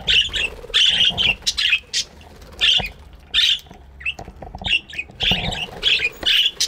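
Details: Busy chattering of budgies in an aviary in the morning, repeated loud harsh squawking bursts roughly every second, overlapping callers and some background rustle.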